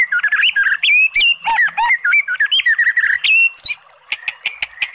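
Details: White-rumped shama, a lure recording to excite a sluggish bird into singing; dense, loud jumble of whistled and buzzy notes with squawks, breaking off into a few spaced sharp clicks.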